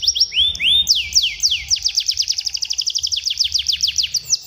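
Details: Tutor song played to young canaries to make them sing well and roll: a few upward-sweeping whistles, then a long rapid trill of repeated downslurred high notes with steady pulsing rhythm, low background hum.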